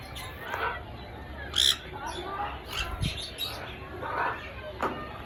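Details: Grey parrot (Psittacus erithacus) from Congo, Africa, gives a run of varied, talky chatter with a harsh, bright squawk and a few short whistled notes in between.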